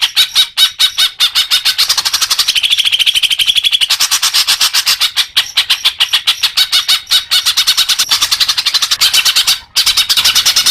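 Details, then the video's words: Greater green leafbird in continuous, fast chattering song, used for getting caged birds to sing more: an unbroken stream of rapid harsh notes with a brief whistled rise early on. "Suara Cucak Hijau Biar cepat gancor"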